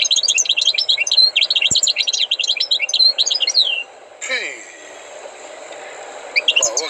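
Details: Tutored European goldfinch sings nearly four seconds of continuous liquid twittering with buzzy slurred notes, followed by a brief harsher sound, a quiet gap, and the start of a new phrase.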